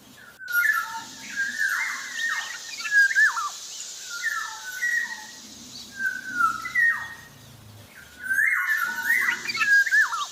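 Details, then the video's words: Javan black-naped oriole singing busily, repeating melodious whistled phrases that swing upward then drop steeply, spaced about every second or two, over steady hiss. "Suara burung kepodang jawa sedang gacor"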